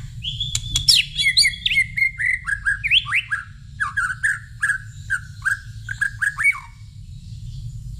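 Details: White-rumped shama singing in reply to a whistle: a rich, fast run of loud whistled notes, many sliding downward, strung together for about six seconds with crisp high clicks mixed in, then a quiet close.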